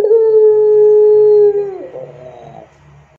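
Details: Barbary dove, pelung style, in a lure recording for dove training: one long steady coo of about one and a half seconds that drops abruptly and fades into soft rolling notes.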